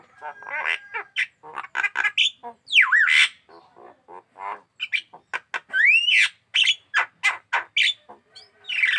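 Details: Captive Javan myna, said to sing actively and be aggressive toward hands, delivering rapid harsh chatters and squawks mixed with sweeping whistled slides, broken into uneven bursts with brief pauses.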